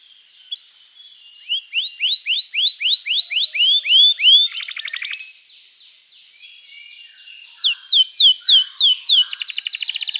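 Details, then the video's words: Canary singing at length as a training lure for juvenile canaries: rising slurred notes repeated in a rhythmic series, a short buzzy burst, a quieter warbling passage, then more rising notes and a fast rattling trill. "Kenari Gacor Panjang Cuit Cuit emosi, Pancingan Kenari paud belajar bunyi, terapi ampuh kenari macet"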